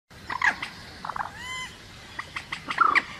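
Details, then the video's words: Rail calls used as a lure for trapping: short harsh notes and brief harmonic bursts, a curved whistled note near the middle, then louder rasping notes at the end over a quiet background. "Tiếng cuốc biển chuẩn Âm thanh bẫy hiệu quả"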